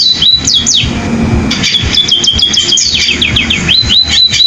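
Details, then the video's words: Pipit, or sparrow, in canary-like song. Bright whistles rise and fall, run into a sustained trilling passage, then end in quick rising slurs. Low rumbling noise lies beneath. "burung pipit rasa kenari"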